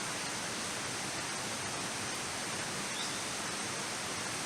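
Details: Only a constant rushing of water, like a stream or waterfall, is heard.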